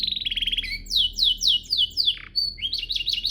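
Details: Canary singing a master training song: a buzzy rolled trill, a string of descending slurred notes, a short flat whistle, then a quick run of rising chirps.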